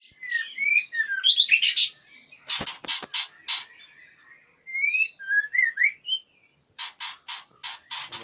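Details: Captive white-rumped shama at a breeding farm in Palembang sings clear whistled phrases rising and falling near 2–4k, alternating with bursts of harsh, buzzy broadband notes repeated in quick series.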